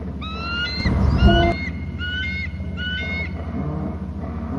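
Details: Eagle at its nest on Hornby Island, screeching while eating; three quick bursts of sharp, piping notes, each note slightly rising and then dropping, over a steady low electrical hum from the nest camera.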